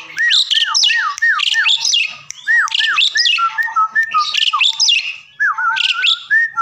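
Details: Asian pied starling song used as a training recording to make a quiet, reluctant bird answer and sing: a rapid run of clear, repeated, slurred whistles mixed with harsh, buzzy squawks, over a faint steady tone.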